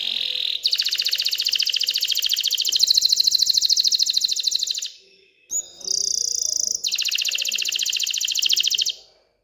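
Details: Excited canary trilling to stimulate females toward mating and nest building: long, very rapid high rolling trills separated by a brief whistled break.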